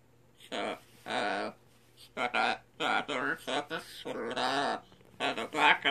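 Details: A pet scarlet macaw indoors mimics human speech and half-sings "Sinbad the Sailor man": about eight rough, speech-like phrases in six seconds, some drawn out, with short pauses between them.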